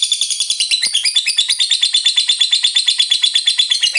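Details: Short stretch of a lovebird's long ngekek song, aimed at getting rival lovebirds to sing: an unbroken, fast, high-pitched rattling trill of evenly spaced chirps.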